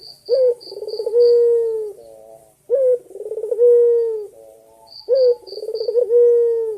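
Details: Male white turtle dove (puter putih) calling the female in the energetic gacor dor berkua style: a sharp rising note, a rolling pulsed coo and a long steady low coo, repeated about every two and a half seconds, with faint high chiming notes.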